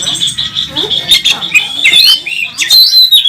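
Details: Oriental magpie-robin, a national first-place champion, competing on the track at a bird contest, wings fluttering, with a full varied repertoire: sharp whistles near steady pitch broken by rising and falling sweeps and harsh chattering bursts.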